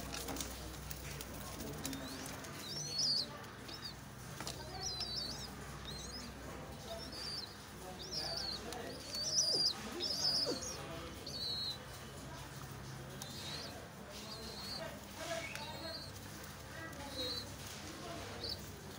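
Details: Thin, high squeaky chirps repeat in short bursts, with faint low murmurs beneath, from a pigeon and its young.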